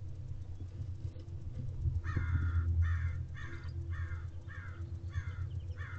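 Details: Owl in a nest box with a newly hatched second owlet, recorded 6 April 2023 in the afternoon: a series of rasping, hoarse screeches repeated about every half second over a steady low hum.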